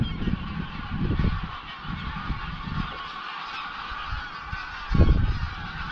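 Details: Greylag geese on their evening flight to a roost lake near Llanfaelog, Anglesey; a steady background of distant honking flock calls, broken by gusts of wind on the microphone.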